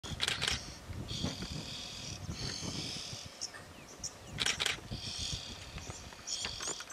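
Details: Oxpeckers gathered on a giraffe; a group of harsh, hissing, buzzy calls in bursts about a second long, several overlapping, over a noisy outdoor background with low rumbles.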